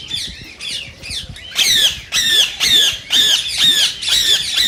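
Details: Green rose-ringed parakeet, a call said to stimulate singing and mating in other parakeets: harsh, shrill squawks with a ringing overtone, repeated roughly twice per second, quieter in the first second and a half, then loud and steady.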